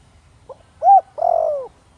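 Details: Single phrase from a spotted dove of the thổ đồng voice type, used as a decoy for wild doves: faint pickup note, clear arched coo, then a long, slightly descending drawn-out coo, with a quiet background.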